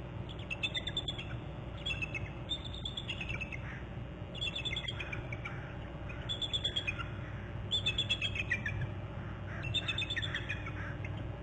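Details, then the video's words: Eagle at its nest territory on Hornby Island, July 31, trilling: bursts of high, thin chittering notes that fall in pitch, about six bouts over eleven seconds, over a steady low rumbling background. "July31 541 more trills; eagle hops to another branch and then behind bst"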